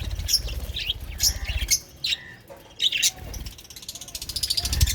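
Budgerigars chirp in quick, high, scratchy bursts over a low background rumble.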